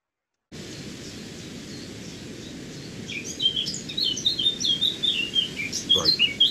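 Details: Eurasian blackcap (Sylvia atricapilla) song: a quick, scratchy warble of varied high notes, shorter and less fluty than a Garden Warbler's, over a steady background hiss.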